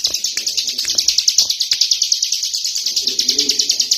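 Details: Tame prinia singing nonstop outside its cage: a fast, steady run of sharp, high, clipped notes, roughly eight per second, with faint low knocks and murmurs in the background.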